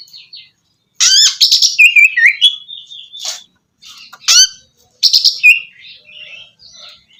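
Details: Oriental magpie-robin song for prompting a bird that stopped singing; loud bursts of harsh chattering notes mixed with clear descending whistles, separated by short silences.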